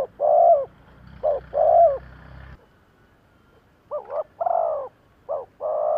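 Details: Spotted dove giving thúc gù coos to lure wild doves: paired short and long coos with a low rumble early on, then an abrupt cut to a quieter take where the coo pairs continue.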